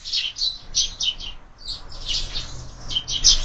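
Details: Sparrows at a window-mounted feeder at breakfast: bursts of bright, high chirps and twittering notes in quick irregular clusters, with a soft low hum beneath.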